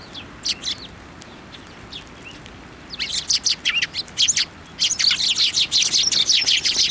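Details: Flock of Eurasian tree sparrows gathering on a plum tree at a Tenmangu shrine on 10 February 2024: bright, sharp chirps start sparsely, then after three seconds build into a dense, rapid overlapping chatter of many birds.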